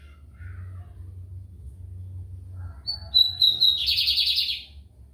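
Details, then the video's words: Song of a lined seedeater from São Luís, Maranhão, Brazil: a quiet low hum at first, then clear high whistled notes running straight into a harsh buzzing trill lasting about a second. "BIGODINHO AMERICANO / 15 MINUTOS SÓ DE CANTO"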